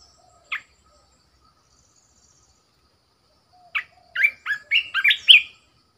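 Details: Red-whiskered bulbul decoy bird: a single sharp note, then after a long pause a lively phrase of several rising and falling whistled notes.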